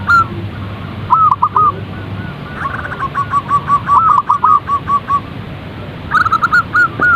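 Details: Zebra dove calls played to coax a bird into frequent singing: clusters of short hooked coos, then a longer even string of soft repeated notes, finishing with another brisk burst; light hiss throughout.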